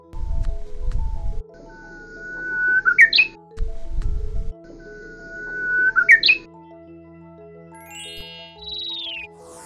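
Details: Japanese bush warbler from Geoje Island, South Gyeongsang, Korea, whose regional dialect is simpler, sings twice about four seconds apart: a long level whistle ending in a quick rising flourish; soft background music throughout.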